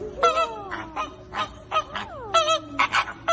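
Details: Several flamingos calling together: irregular nasal honks overlap, and some calls slide downward in long drawn-out glides among shorter clipped honks.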